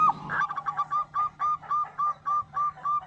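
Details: Zebra dove, local strain, in lively song used as a lure to draw answering calls from other doves. After a short rough opening, a regular string of about nine clear cooing notes follows, evenly spaced, over a low steady hum.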